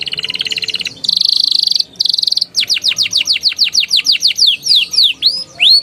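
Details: Canary song for prompting young canaries to sing, opening with buzzy, rattling trills in short bursts, then a quick series of sharp descending sweeps that slow into separate rising whistled notes.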